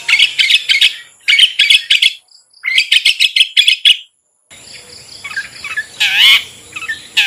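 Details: Long-tailed shrike ngetet meant as a lure for caged birds slow to sing: rapid high scratchy chattering in bursts, a pause, then varied warbled and whistled phrases with a faint hiss behind.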